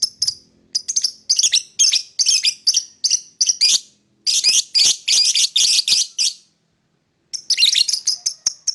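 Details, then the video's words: Lovebird singing and chirping in the morning: long runs of rapid, scratchy high chirps and chatter, pausing briefly twice, then resuming with a dense burst at the close. "Lovebird singing and chirping sound in the morning"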